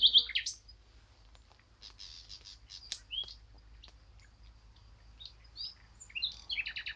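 Eurasian blackcap giving a loud, high chattering burst, then scattered sharp ticks and thin notes, ending in a quick warbled flourish; faint low background rumble.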